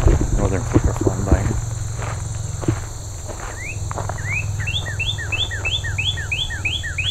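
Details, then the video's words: Northern cardinal in early September on the Gypsum Mine Tract rail trail, Haldimand, Ontario, Canada, sings an unusually long sequence: a few rising whistled slurs, then a brisk run of about eight clear, down-slurred notes, after a man speaks over a steady low rumble. "that is the longest sequence I've heard in a long time from a northern cardinal"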